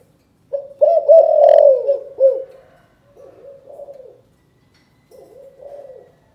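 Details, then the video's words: Spotted dove in Can Tho, Vietnam, cooing in the 'chụp chụp ô' calling style. It opens with a strong, slurred phrase of coos, then gives a quieter pair of muffled coo groups after brief silences. "Chụp chụp ô gáy gọi Thái Vân hoa : Cu gáy Cần Thơ"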